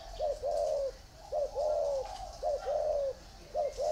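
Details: Spotted doves in a round bamboo cage and an iron cage give clear, soft coos: a brief clipped note followed by a longer falling hoot, the pair repeated four times over a few seconds.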